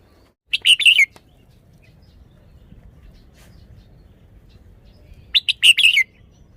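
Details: Red-whiskered bulbul, a caged bird showing its song style. Two quick bursts of four or five tumbling whistled notes, the last note sliding downward, separated by nearly five seconds of quiet.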